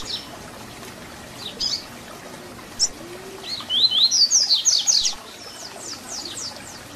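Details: Tui Tui Zel Zel fibra song of the double-collared seedeater, used for teaching young birds. Scattered high chirps lead into a fast, bright series of rising-then-falling whistled notes lasting about a second and a half.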